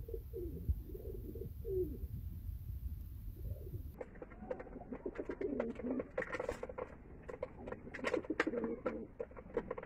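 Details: Pigeons cooing in a Bangladesh loft during feeding: a few soft, wavering low coos at first, then busy clicking and pecking sounds with scattered coos as the birds feed.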